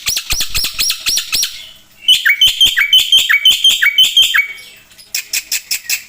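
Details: Black-winged myna in full, chatty song used for tutoring other birds: a quick run of sharp high notes, then a series of loud notes sweeping down, about two a second, then a brief pause and more clipped repeats.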